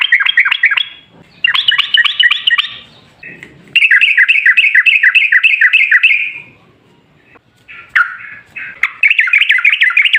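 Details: Long rolling 'ropel' song of an actively singing yellow-vented bulbul, used as a lure: bursts of fast, bubbly, repeated warbled notes about three and a half per second, broken by brief gaps and a few scratchy sounds.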